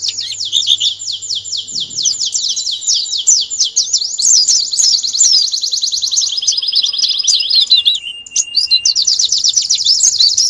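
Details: Canary master song for national competition preparation: long, unbroken, rapid high trill of repeated sweeping notes, shifting in speed and tone partway through, ending in another fast roll, with a faint low hum.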